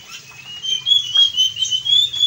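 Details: Blue-and-white flycatcher in lively, full song, offered as a lure for other kept birds. A loud, sustained high warbling whistle wavers up and down without a break, over a soft low hum.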